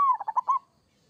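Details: Kerot-style song of a local zebra dove: a falling cooed note breaks into three soft, rapid rolling beats, then stops abruptly into silence.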